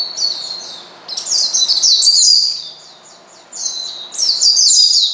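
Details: Challenging calls of an Oriental white-eye to a rival: two loud clusters of shrill, jumbled high twittering, split by a near-silent gap.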